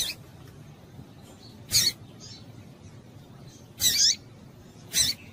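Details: Breeding-condition female Double-collared Seedeater calling to stimulate males: three short, harsh, high-pitched chip bursts about two seconds apart, separated by near silence.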